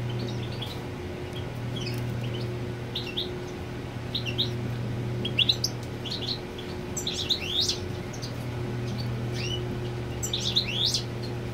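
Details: European goldfinch marking territory with the female on the nest; scattered, thin, high chirps and short twittering phrases that grow busier toward the end, against a constant low electrical-sounding hum.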